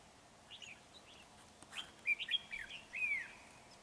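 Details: Red-whiskered bulbul singing during a bird-trapping session on 31 January 2019. It gives short, bright, warbled whistled phrases, a few rising and falling slurs clustered in the second half, over a steady soft background hiss.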